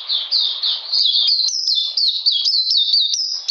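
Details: Oriental magpie-robin in cold, rainy conditions, 13 June 2020, delivering a brisk series of high, slurred chirps, each note dropping in pitch, packed closely together with no silence.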